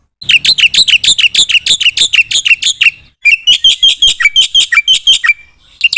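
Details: Black-winged myna delivering gacor-style song with full isian: a quick run of loud, rough chirps, a short gap, then another series of sharper, slightly varied harsh notes.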